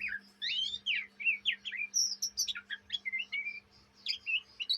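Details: Juvenile Oriental magpie-robin (kacer) in Indonesia, an untrained young bird, in continuous ngriwik chatter: quick slurred whistles and scratchy chirps, alternating high and mid notes in short bursts, with a faint constant low hum underneath.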